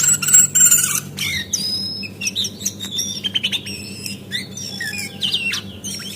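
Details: Female Javan white-eye calling, played to coax birds into fluent song: a bright high whistled phrase, then scattered sharp chirps and short level notes at an uneven pace, faint hum beneath.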